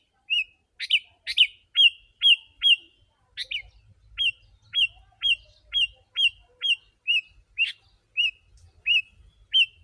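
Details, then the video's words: Sooty-headed bulbul in dense, lively song meant to lure wild birds: a steady run of short hooked whistles, about two a second, with a few harsh buzzy chatters among them and a faint low rumble in the background. "Kutilang si.ladusing super gacor suara rapat menekan burung liar...."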